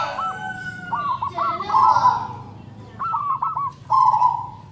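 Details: Local zebra dove with a big voice: short stuttered notes run into a long purring coo, a pause, then another burst of clipped notes and a swelling coo, over steady background noise.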